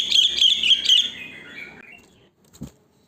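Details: Sooty-headed bulbul singing in the wild: one short run of quick, liquid, bubbling notes that trails off into a fading slur, followed by a brief soft knock.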